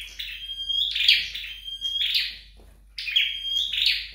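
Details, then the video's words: Training session at home for a flowerpecker, with drawn-out thin high whistles leading into scratchy chirped bursts, three phrases in quick sequence. "Dợt Sâu Đầu Đỏ Tại Nhà"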